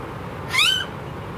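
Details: A single mewing, upslurred note from a blue-faced honeyeater, an Australian bird, rising then levelling off, clear and slightly nasal over a low steady background hum.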